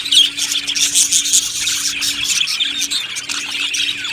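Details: Happy budgerigar colony in an aviary, heard as a loud, dense burst of high twittering and squealing chirps from many birds at once, steady throughout, with a faint background hum.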